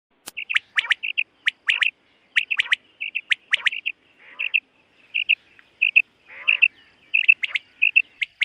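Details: Common quail in a summer meadow in the morning: short clear whistled notes in quick groups of two or three, repeated steadily for the whole stretch, with a few softer rasping notes between them.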